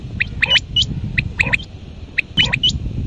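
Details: At dawn a quail repeats short groups of crisp, high ticking notes, three or four per burst, spaced under a second apart against a soft low-pitched background hum.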